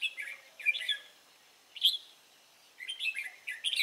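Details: Wild red-whiskered bulbul song recorded on 23 April 2017: bursts of bright, warbled chirpy phrases with short gaps, some notes sliding up and down, a pause near the middle, then a quicker run of notes.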